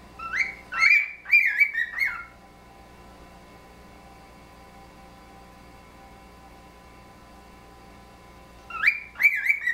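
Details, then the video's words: Pet cockatiels whistling together in a friendly musical conversation of wolf-whistle phrases; a burst of bright, sliding whistled notes opens, followed by about six seconds of quiet, then another short whistled phrase answers at the end. "Whistle conversation"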